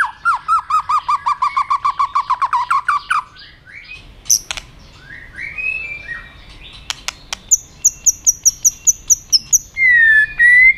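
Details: White-rumped shama provoked into fight-singing: a run of about fifteen quick repeated whistled notes, a quiet gap with sharp clicks, then high rapid chips and a final rich whistle.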